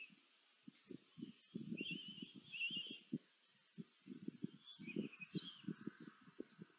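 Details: At a Hungarian nest in Tiszanagyfalu, 14 July 2023, a female common kestrel feeds four chicks; shrill, wavering whistled whines rise over a steady run of dull knocks and rustling from movement inside the nest box.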